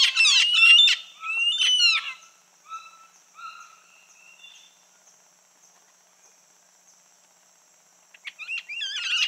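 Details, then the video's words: Red-fan parrot giving loud, grating squawks at the start, then softer drawn-out notes fading into quiet, before another burst of harsh chattering calls. "Som de Anacã / Deroptyus accipitrinus"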